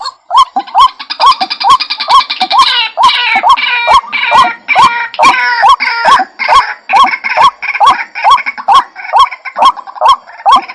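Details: Trapping lure of ruak-ruak, the white-breasted waterhen: evenly repeated upslurred notes, about twice a second, overlaid early on by a dense, rattling high chatter that fades toward the end.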